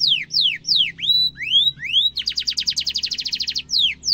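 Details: Tutor song of a canary for training young and adult birds: sweeping falling and rising whistles, then a fast, dense rolling trill, ending with more falling whistles.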